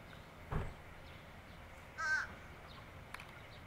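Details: A fish crow gives one short, nasal caw, with two brief knocks and a low background rumble.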